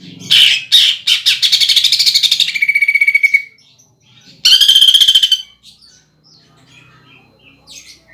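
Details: Greater green leafbird song with woodpecker (pelatuk bawang) imitation, played to stimulate contest birds. Opens with sharp chips into a dense rattle and a level whistle, then, after a gap, another loud buzzy burst and faint calls.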